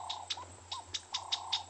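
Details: Agitated chinspot batises on an afternoon game drive, 10 May 2020, at Ngala Private Game Reserve, South Africa, give dry, snapping clicks about five times a second and short rising whistles, with wing flapping, over insect hum. This may be a territorial dispute or a reaction to a snake or leopard, though a leopard is doubted.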